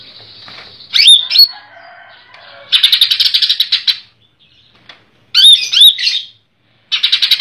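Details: Greater green leafbird (cucak ijo), a collection bird from Comal, Pemalang, singing in dense besetan style: whistled slurred notes near one second, then rapid buzzy rattling bursts of quick repeated pulses, separated by short silences.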